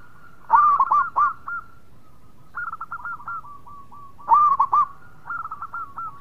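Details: Local zebra dove singing: two bursts of rapid, soft cooing notes near one pitch, each burst a quick stuttering run of hooked coos, separated by quieter, drawn-out trilled phrases; faint steady background hum.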